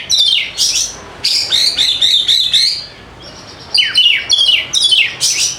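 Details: Oriental magpie-robin, the kacer kept by bird hobbyists, in near-continuous loud song meant to prompt silent birds: rasping downslurred notes and warbled whistles run together, a short lull, then more descending harsh phrases.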